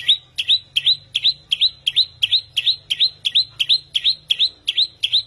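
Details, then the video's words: Unidentified bird with a strange, frightening-sounding song: a short, sharp upslurred whistle repeated steadily about three times a second, each note ringing and clear. "Loài chim lạ có giọng hót đáng sợ"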